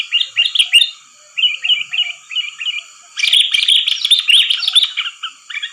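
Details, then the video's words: Trapping lure of an active sooty-headed bulbul: short groups of bright chirping notes, then a denser, louder run of jumbled chattering that fills the second half. "Suara pikat burung kutilang || kutilang gacor"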